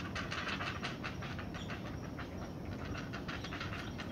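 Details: In the nest, not-so-small great blue heron chicks await food from their mother, producing quick repeated rasping clacks, steady and rhythmic, masked partly by continuous background hiss.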